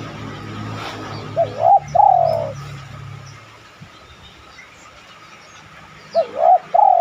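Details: Spotted dove coos spaced about five seconds apart, recorded as a lure to set other doves cooing. Each phrase is a quick wavering double note and a long falling coo, over low rumbling background noise.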